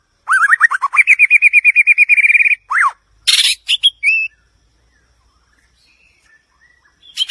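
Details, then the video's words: A White-rumped shama sings a quick run of about fifteen rising whistled notes that climbs in pitch, then a swooping whistle and a few scratchy and clear phrases. "เสียงนกบินหลาดง, White-rumped shama Song"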